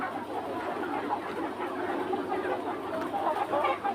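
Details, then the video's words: Hens and rooster of a free-range Red Mía flock cluck busily together, a dense run of short, low notes with a few brighter clucks near the end over a constant farmyard hum. "Free-Range Red Mía Rooster Flock with Hens – Long Farm Video Natural Sounds"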